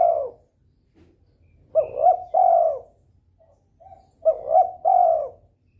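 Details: Spotted dove in breeding mood, calling to stimulate rivals to answer: two-part cooing phrases, a short rising double note then a long falling coo, repeated about every two and a half seconds, with faint softer coos between.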